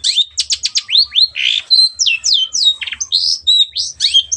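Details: Long-tailed shrike in energetic song used to train other birds: varied sequence of sharp down-slurred whistles, rising sweeps and brief buzzy notes, tumbling quickly one after another.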